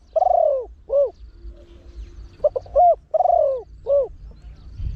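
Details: Spotted dove, trained and big-voiced, sings the 'khan yon 1 kuk' style in frequent bursts used to draw wild doves. It gives a long sliding coo and a short hoot, then stuttered notes and another long coo and hoot.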